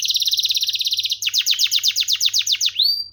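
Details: Canary in full song: a fast, even high rolling trill lasting about a second, then a string of descending whistled notes and a final rising sweep.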